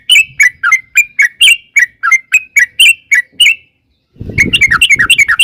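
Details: Rapid 'ropel' song of a sooty-headed bulbul, a lure to make other bulbuls answer: quick slurred bubbly notes repeated steadily, a brief pause, then a denser burst of notes over a low rumbling background.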